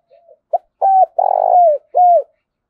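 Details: Spotted dove decoy bird, used to lure wild doves, delivers a clean coo phrase: faint opening note, a quick clipped coo, a level coo, a long burred coo dropping in pitch, then a final downward coo.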